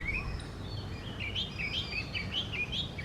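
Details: Oriental magpie-robin singing from a tree in the morning: clear whistled notes, short rising and falling slurs repeated about every quarter second over a steady low rumble of background noise.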